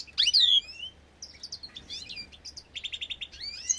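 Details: An agate-mutation European greenfinch, bred in an aviary in 2024, sings bright twittering phrases with sweeping high whistles and a quick trill of about six even notes near the end.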